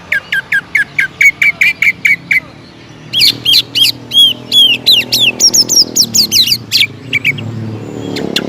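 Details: Greater green leafbird singing hard, intended to spark aggressive singing in other leafbirds. A measured row of repeated notes, a pause, then an excited tumble of high looping whistles and chatter.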